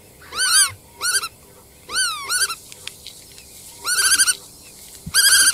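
Black-tailed Godwit gives nasal, slightly rising-then-falling notes in quick bursts of two to five, with pauses between bursts, over a faint low background hiss.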